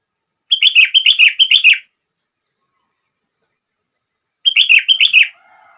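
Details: Sooty-headed bulbul song played to set other bulbuls singing: two bursts of bright, chirpy notes, about four rapid repeated phrases each, separated by a three-second pause; a faint low hum follows the second burst.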